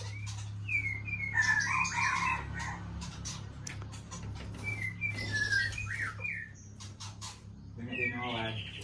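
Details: White-rumped shama during pairing, sweet whistled phrases with rising and falling slurred notes in bursts, mixed with rapid chips and clicks, over a steady low hum.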